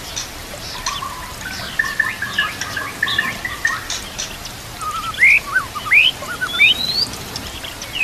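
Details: White-rumped shama (murai batu) song for training other murai birds, with nature sounds and trickling water: a softer chattering opening gives way to loud rising whistled sweeps and short drops in the second half.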